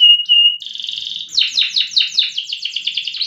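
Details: Loper canary with contest-level song: two short flat whistles, a buzzy held tone, then an accelerating series of falling slurs merging into a fast trill.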